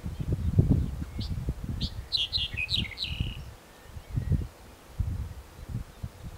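A Black-headed bunting gives one brief song: a few spaced introductory notes, then a quick, slightly falling jangle of bright notes. Heavy low wind rumble runs throughout.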